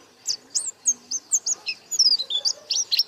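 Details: Energetic white-eye song, beak open: a quick series of bright, high chirped notes, some slurred up or down, spaced about a quarter-second apart and growing busier toward the end.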